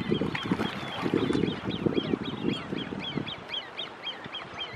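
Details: On Lake Geneva at Lausanne, Great crested grebe young beg to a parent with thin, high piping notes, repeated rapidly several times a second, over low rumbling bursts of background noise.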